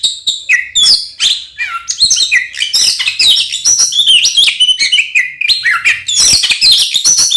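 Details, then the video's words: Oriental magpie-robin delivering a rich fighting song to provoke rival birds; rapid mix of high whistles, downslurred notes and buzzy trills, continuous throughout. "SUARA BURUNG kacer gacor NGEPLONG TARUNG konslet ini paling AMPUH buat PANCINGAN KACER agar EMOSI"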